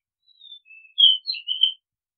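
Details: A single short phrase from an Oriental magpie-robin: a thin drawn-out whistle, a lower faint note, then louder fluty notes with a quick upward flick, all over within about a second and a half.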